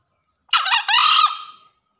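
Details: One green junglefowl crow recorded after heavy rain from a bird in breeding condition. A scratchy opening burst leads into a longer buzzy, strained second note, the whole call just over a second, in silence.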